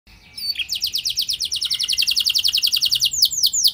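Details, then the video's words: Canary song played to prompt other canaries to sing: after a soft start, a long rapid roll of high repeated notes, about eight per second, ending in a few downward-sweeping whistles. "Pancingan Burung Kenari Biar Ikut Gacor Ngeroll Panjang! Pasti Nyaut Kenari Mana Saja Dengan Ini"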